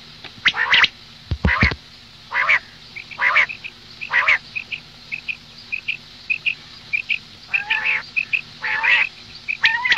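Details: Morning calls of a female common quail: rasping, quacking-like notes in uneven groups about once a second, with faint high pips scattered between them.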